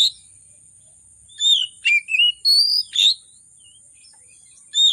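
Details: Oriental magpie-robin, excited and in full song with varied content, played to coax hesitant magpie-robins to sing: a short run of clear whistles, one long drawn-out note, then quiet before a final whistle.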